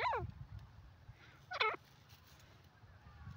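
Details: Pair of black francolins calling: two loud, rasping notes that sweep down and then up, one at the start and another about a second and a half later, over a low background rumble.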